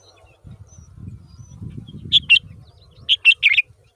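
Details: Yellow-vented bulbul feeding an enormous worm to its young babies: two sharp, high chirps, a short pause, then a quick run of three to four similar chirps, over soft low rumbling background noise.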